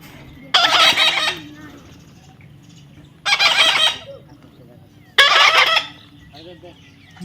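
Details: Baby parrot being tamed, letting out three loud harsh screeching squawks about two seconds apart, each lasting under a second, with faint chatter after the last and a low hum throughout.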